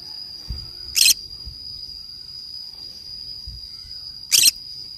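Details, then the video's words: Green-cheeked conure playing alone in the forest: two short, harsh, broadband screeches about three seconds apart, over a steady high-pitched insect drone and faint low rustling. "green cheek conure parrot sounds"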